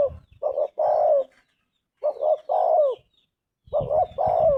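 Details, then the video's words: Spotted dove song in clean, repeated phrases: quick double coo, then a longer warbling coo that drops at the end. Light twittering of small birds in the background. "Tekukur gacor suara emas"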